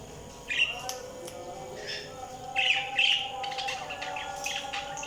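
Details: Budgerigars chirping: scattered short, bright chirps and twittering bursts, busiest around the middle and near the end, over steady tonal humming and broad background noise.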